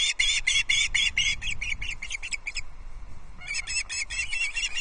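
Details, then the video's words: Osprey chicks squabbling over fish on a nest in the Scottish Highlands at Loch Arkaig; quick series of sharp piercing whistled notes, a brief pause, then the rapid shrill calling resumes, with wind noise underneath. "Dinnertime squabble on the #LochArkaig nest!"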